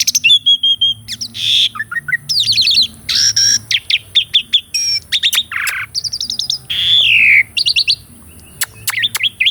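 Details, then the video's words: Asian pied starling in full varied song, used to coax a caged bird that has gone quiet; dense run of sharp chirps, buzzy rattles, clear whistles and a long descending slur, delivered in rapid bursts over a faint hum. "KICAUAN BURUNG JALAK SUREN UNTUK MASTERAN JALAK MACET DENGAN SUARA YANG MERDU INI..!!"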